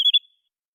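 A Little Grebe gives two quick, sharp, high whistled notes in a fraction of a second, followed by silence.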